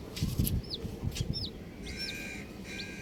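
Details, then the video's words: Cute baby chicks give clear, high, down-slurred single peeps, spaced about half a second apart. A soft whine and low scratching and knocking sounds sit underneath. "Colourful Baby Chickens | Cutie Chicks Chirping Sounds"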